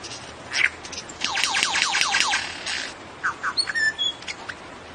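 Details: Lyrebird, an Australian ground-dwelling bird, singing: a sharp note, then a rapid series of about six loud descending sweeps, followed by a few short whistles and thin high tones.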